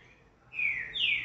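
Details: A captive sabiá (thrush), which the owner says is singing slowly after its cage was changed, gives two clear, high whistled notes in quick succession, each sliding downward in pitch, over a faint background hiss.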